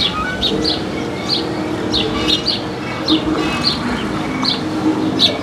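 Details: Urban House sparrows in Paramirim, found around the town's squares; bright single chirps spaced irregularly, roughly every half second, against a constant low hum of city background noise.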